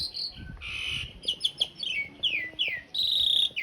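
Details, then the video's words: Rough-fill master song of an Asian pied starling for cage-bird training: buzzy rolls and a few falling whistled slurs against a noisy, rumbling background. "Suara masteran jalak suren isian kasar roll panjang"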